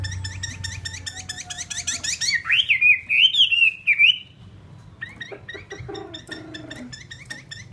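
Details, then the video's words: Chinese hwamei, a captive fighting-type bird kept for sale, moves from quick repeated chips into a loud, wavering whistled phrase that rises and falls, then returns to scattered chips. A low hum is heard early on. "Họa mi chiến"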